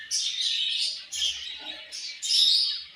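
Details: Budgerigars chirping in the morning at feeding time, three loud bursts of high, rapid warbling chatter separated by short pauses.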